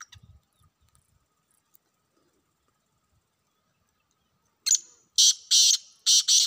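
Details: Wild black francolin heard after several seconds of near silence, then breaking into a loud grating series of four harsh buzzy notes at the end. A few low thuds open the recording.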